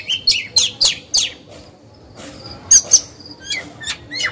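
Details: Oriental magpie-robin kept as a lure bird to excite rivals into singing; a few sharp downward-sweeping chirps, then a quiet pause, followed by clear whistled notes and short rising calls.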